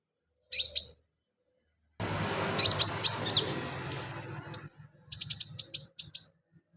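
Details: Sunbird in full song, used as filler material to teach other birds, delivers high sharp whistled notes, then a noisy stretch with thin rising squeaks, ending in a rapid run of bright, buzzy high chips.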